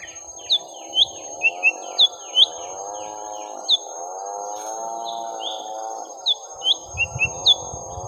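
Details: A young lesser green leafbird, fighting a rival, gives sharp high whistled notes in loose groups, while a steady, layered droning hum runs underneath throughout.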